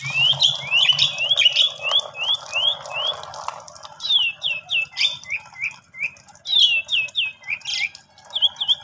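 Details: Asian pied starling song used to draw a silent, sulking starling into singing: strings of rising, sweeping whistles and scratchy chirps in uneven bursts, with a brief low rumble at the start.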